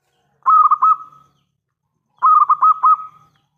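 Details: Local zebra dove with a loud voice, calling as a lure to make other doves answer: two bursts of rapid, staccato, cooing notes run together into a bubbling trill, each about a second long with a trailing end, separated by silence.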